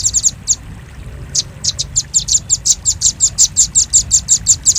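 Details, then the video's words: Velvet-fronted nuthatch, the doraemon bird, in a sound used to lure birds: a few scattered sharp chips, then an even series of high ticks at about four per second. "Suara pikat burung rambatan paruh merah paling ampuh"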